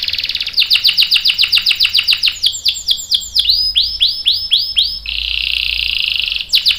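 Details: Canary in 'gacor' 'cuit cuit' song with long 'ngerol' roll, a lure for other canaries: quick bright chirps, looping swooping notes, then a smooth sustained high roll.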